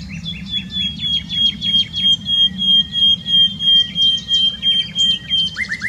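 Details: A nightingale in Dohr, Eifel, Germany delivers a steady series of repeated clipped notes, about three per second, over a long thin whistle, ending in a fast cluster of bright chirps; low background rumble.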